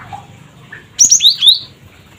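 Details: Cinereous tit used as a lure to make other birds call: after a quiet start with faint distant notes, a rapid burst of high chirps slides into two sweeping, slightly descending whistled notes, ending abruptly.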